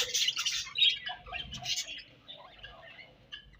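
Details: Colony of budgies chirping in the morning, a loud opening burst of overlapping high chirps and squeaky warbles that thins out into scattered softer twitters.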